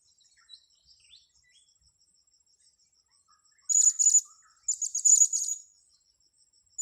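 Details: Blue-crowned hanging parrot heard while being lured for trapping on grass: quiet start with a faint pulsing insect drone, then two loud bursts of piercing, high, rapidly trilled chirps, each under a second long.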